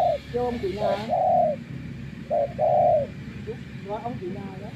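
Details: Spotted dove used as a decoy bird after many days kept out in the wild, giving low, hollow coos in short two- and three-note phrases, with softer broken notes between them and faint rural background.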